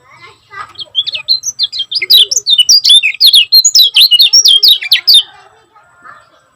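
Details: Lemon-bellied white-eye from Lombok giving quick, tightly packed 'gacor speed rapat' song for training caged birds. The high twittering builds and runs for about four seconds before fading, with faint lower sounds around it.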